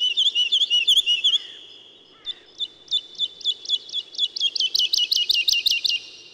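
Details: Singing woodlark: a rapid, looping run of liquid, high notes, then a short gap. A second phrase of evenly repeated notes starts slowly and speeds up into a ringing trill.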